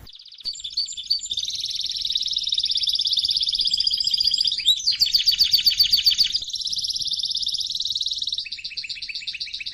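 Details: Canary singing training with a fiery voice: long sustained rolling trills shifting between pitches, a burst of rapid sharp notes midway, and a faster pulsed trill at the end.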